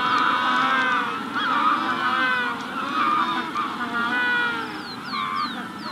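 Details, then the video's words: In a Magellanic penguin colony at the hatching stage, several birds bray in long, raspy, harmonic phrases that rise and fall. Near the end, a Rufous-collared Sparrow adds a run of sharp, high downslurred whistles. "Magellanic Penguin / Calls MD In Colony At Hatching Stage"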